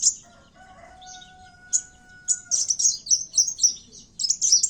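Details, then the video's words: Kowul in fighting mood as a trapping lure: isolated shrill chirps, then a dense rapid burst of high scratchy notes repeated several times a second, with a faint steady tone in the background early on. "pancingan suara burung kowul tarung"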